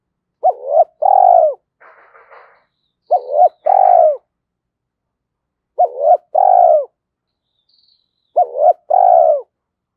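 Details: Spotted dove calling in the 'giọng thổ' style, used to rouse decoy birds into cooing. Three two-part phrases come roughly every three seconds, each a short hooting double note followed by a drawn-out mellow coo. One brief burst of rustling noise is heard.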